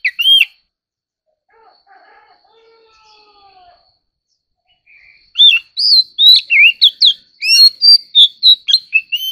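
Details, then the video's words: White-rumped shama singing competitively: a brief whistled burst, a quiet gap with faint low drawn-out tones, then a dense stream of loud looping and slurred whistles, roughly three notes per second. "choè than kích hót || choè than hót đấu"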